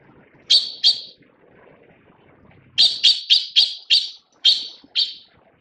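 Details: Taiwan Blue Magpie (Urocissa caerulea) while feeding chicks gives harsh, rasping notes: a quick pair, a pause, then a rapid run of six short, buzzy notes.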